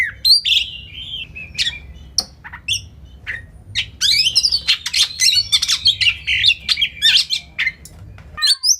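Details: Oriental magpie-robin (kacer) champion training song with full 'tembakan' fill: scattered sharp chips at first, then a loud dense run of squawky whistles and buzzy trills over a faint steady background hiss.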